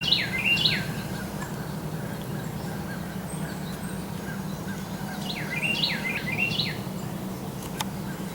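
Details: In woods, a wren, taken for a Carolina wren though a house wren is also suggested, gives two bright bursts of rapid, rolling repeated notes about five seconds apart, over a steady low hum.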